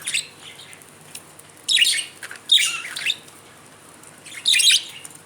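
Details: Budgerigars at play give bursts of scratchy, high-pitched chirping chatter, each lasting about half a second.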